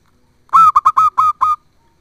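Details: Female zebra dove (perkutut) calling the male, played as a lure to draw a quiet male into answering. A single run of six clipped, resonant hoots, all at one steady pitch, over about a second in an otherwise silent background.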